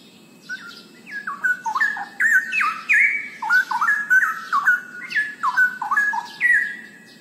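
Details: Straw-headed bulbul, or cucak rowo, in full loud song: a long, energetic cascade of liquid, whistled notes, sharply rising and dropping in pitch, sustained over several seconds of rapid bubbling phrases.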